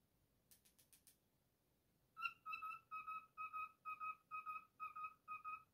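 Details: Pet male cockatiel singing his own version of the tune If You're Happy and You Know It: a few soft clicks, then a steady run of clear whistled notes, about two per second.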